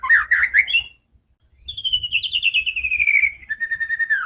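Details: White-rumped shama giving aggressive song meant to provoke rival birds: a burst of warbled notes, a brief silence, then a long descending trilled whistle ending in steady whistles over a low hum.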